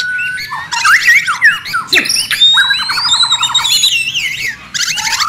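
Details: Noisy, fast White-rumped shama song meant as training audio for songbirds, packed with rattling trill runs, sharp up-slurred whistles, a long thin rising whistle, and harsh buzzy bursts in quick succession, with a short gap near the end.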